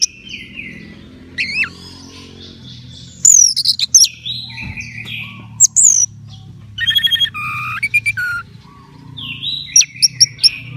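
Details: Caged orange-headed thrush in peak form, prepared for a songbird contest, sings a varied, rich song: sliding whistles, sharp high chips, buzzy trills and rapid repeated notes in bursts. A faint low hum sits beneath.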